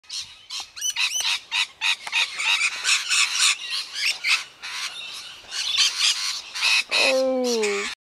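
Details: Rainbow lorikeets feeding on Saw Banksia flowers on Raymond Island, East Gippsland, keep up a rapid stream of harsh, shrill screeches and chatter, several birds calling over one another; a brief harmonic human-like voice near the end.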